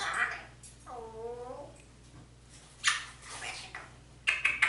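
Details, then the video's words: Indoor African grey parrot talking in Spanish while calling its owner and asking for turkey and chicken; one smooth, harmonic voiced word, then harsher breathy bursts and clicks. "Grey talks in Spanish, asking for turkey and chicken"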